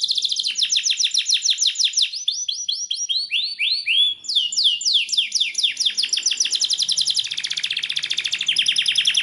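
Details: Training song of a Belgian canary for stimulating canaries to sing: fast rolling trills alternating with runs of high swooping whistles, closing with another rapid, steady trill.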